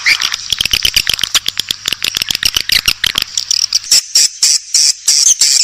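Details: Swiftlet calls, a recording played to attract swiftlets: a fast train of sharp clicks overlaid with dense, high chirping, then louder separate bright chirps repeated about twice a second toward the end.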